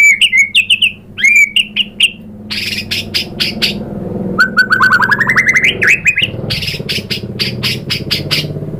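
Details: White-rumped shama (murai batu) lure song for prompting other shamas to sing: whistled phrases, sharp clicking bursts, and a rapid rising run of notes, with a steady low hum underneath.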